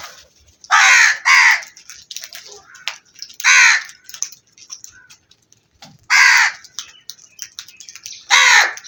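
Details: Black crows giving loud harsh caws: a doubled caw, then single caws spaced a few seconds apart, with faint chirps and clicks between calls.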